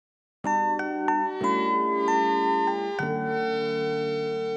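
Bright, bell-like mallet tones ring out in a short melodic run of struck notes that sustain and overlap, with no animal voice present.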